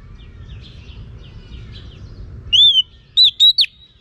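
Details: Female Oriental magpie-robin calling to stimulate males. After faint chirps and low hum, a loud arched whistle rings out, followed by three quick clear whistled notes.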